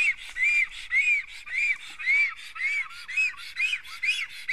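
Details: Black stork at an Estonian nest, where a strange black stork arrives as an unwanted visitor. Loud, arched whistled notes repeat about twice a second, each rising then falling, over a steady hiss.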